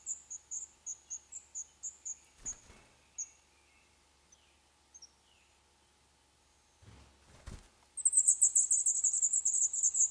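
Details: Black redstart chicks in a nest inside an old furnace pipe, Poland, on their 11th day. A few thin, high peeps fade out, a knock and scraping follow, then an intense, loud, high-pitched begging chorus erupts.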